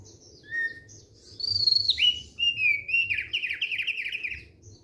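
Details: Thick-billed white-eye singing relaxed song, a high thin whistle falling into a long rippling, warbling run of clear notes wavering up and down, with a low background hum.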